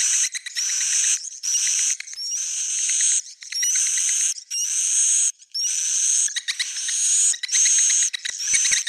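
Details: Edible-nest swiftlet roosting lure call (suara inap), meant to attract swiftlets: sustained buzzy, high-pitched rasps about a second long, each often ending in a short upslurred whistle, separated by short pauses and clicks.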